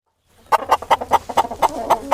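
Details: Chicken clucking in a farm animal sounds lesson for toddlers: eight short, punchy clucks in quick, fairly even succession, roughly four or five per second, clear and close with no competing sounds.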